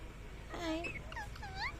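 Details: A pet Ringneck parrot gives a few soft whistled notes that slide down, then up, over steady background hiss.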